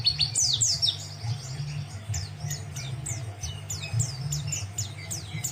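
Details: Singing white-eye kept as a song tutor for other birds. Softer, scattered high sweeping whistles and short downslurred chirps follow one another irregularly over a constant low droning hum.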